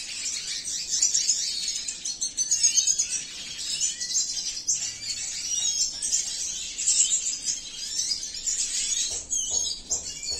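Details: Long, rambling high twitter from a male Venezuelan siskin of the cinnamon mutation kept by a breeder, mixing rapid trills, buzzy notes and sharp chirps, followed near the end by a few soft clicks.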